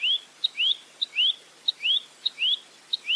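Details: Rambatan mandarin, the velvet-fronted nuthatch, giving clean rising whistled notes roughly twice a second. Each is preceded by a short sharp high tick, in a steady alternating pattern.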